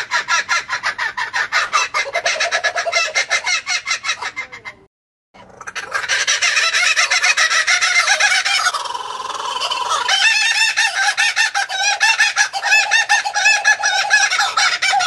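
Laughing kookaburras in a loud, rollicking chorus of rapid, harsh chuckling notes that surge and fall, broken by a brief pause.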